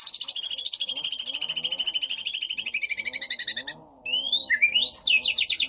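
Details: White-rumped shama lure song to stir up rival shamas: a long, fast, buzzy trill of high notes, a brief pause, then sharp upward-sweeping whistles and a renewed rapid trill.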